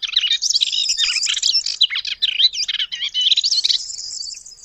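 A white-browed reed warbler pours out a fast, busy song of chattering, whistled and scratchy notes.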